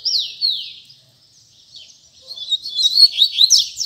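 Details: Tui tui zel zel song of a double-collared seedeater: two clear descending whistled slurs open, a brief lull follows, then a fast jumble of high swept notes and trills.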